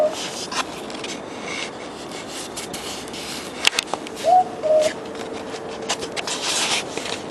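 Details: A southern boobook (mopoke) in Australia gives one soft two-note hoot, the second note slightly lower, amid rubbing and scraping noises and a faint steady hum.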